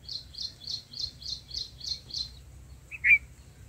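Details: Black-headed bulbul chicks in the nest while the mother feeds them: a quick run of eight thin high chirps, about three per second, then a single louder sharp note near the end.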